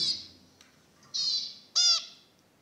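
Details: Zebra finch giving short nasal calls: a buzzy note, a longer harsh buzz, then a loud honking, harmonic-rich call, with quiet gaps between them.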